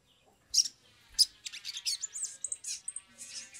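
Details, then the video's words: Lure recording of a Sumatran leafbird singing in an agitated state to get birds singing fast: two sharp high notes, then a quieter, varied run of twittering, slurred and looping high phrases. "pancingan sogok ontong atau SOGON biar cepat bunyi"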